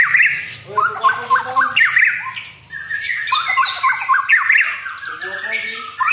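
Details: Lively white-rumped shama song meant to rile a rival bird: rich, fluty whistled phrases with sweeping rising and falling notes and harsher chattering bits, loud bursts alternating with quieter passages.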